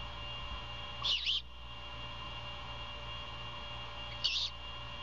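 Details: Great horned owl mother feeding a baby owlet at dawn, Savannah nest cam in an abandoned Bald Eagle nest, February 2022; two short hoarse hissing screeches roughly three seconds apart against a faint steady hum.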